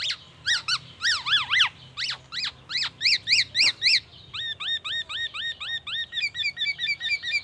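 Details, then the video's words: Black-naped oriole song copying oriental magpie-robin and ambulance siren sounds: loud rising-falling chevron notes in quick sets, then a long run of upward-flicked chips, and finally fast stuttering notes near the end. "KEPODANG EMAS TELER BONGKAR ISIAN MURAI BATU DAN SIRENE AMBULANCE"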